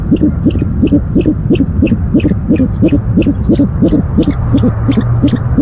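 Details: Owl calling at the nest on the night of 17 February 2015 as the first delivery arrives; a steady stream of short, low, throbbing notes, roughly three each second, over electrical hum.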